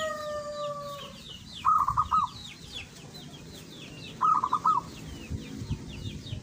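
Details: Local zebra dove singing in two bursts of quick staccato, rolling coo notes, about two and a half seconds apart. Long falling whistled tones open the recording, and many small birds chirp high in the background.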